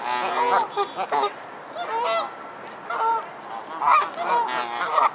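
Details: Aggressive geese in a feud call repeatedly with nasal, wavering honks, some rising and bending, delivered in irregular clusters with a steady murmur of background noise between them.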